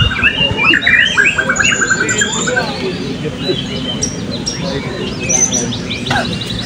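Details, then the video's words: Blue-crowned hanging parrot in class B of a 2024 Balingian open singing competition; rapid chattering chirps and short rising trills, some lower and some shrill and high, amid steady crowd noise and other competing birds. "Burung Serindit B - Pertandingan Seni Suara dan Gaya Burung Berkicau Terbuka 2024 Balingian"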